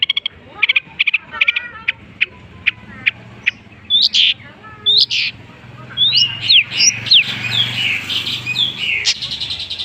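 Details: Long-tailed shrike (cendet) singing a rich mimicked medley of other birds: evenly spaced sharp clicking notes, then looping whistles and a dense, fast, bright warble toward the end.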